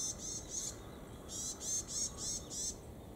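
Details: Two varied tits calling back and forth at Kitamoto Nature Observation Park, Japan, trading high, buzzy notes in quick runs of about three per second, with a brief pause between bursts; faint steady hiss behind.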